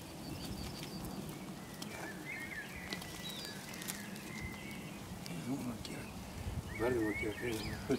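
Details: Black swan on a pond, giving a run of short nasal harmonic calls in the last three seconds, rising in loudness, over a steady chatter of small birds whistling and a low rumble of background noise.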